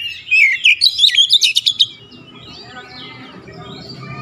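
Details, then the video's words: Oriental magpie-robin singing persistently and showing off its repertoire (gacor ngotot bongkar isian). A rapid burst of sharp chirps and clicks lasts about a second and a half, then fades into quiet, faint warbling over a low background rumble. "KICAUAN OBAT KACER SETRES CEPAT SEMBUH DAN GACOR NGOTOT BONGKAR ISIAN"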